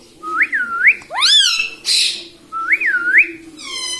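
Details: Pet parrot indoors, said to say "mummy papa": twin up-down whistled notes repeated twice, a rising squeaky phrase and a short raspy burst between them.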